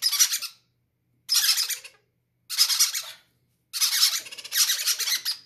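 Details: Baby parrots, described as greedy chicks each wanting to be fed first, give harsh, broadband squawking begging bursts, four loud rasping calls in about five seconds, the last one longer and pulsing.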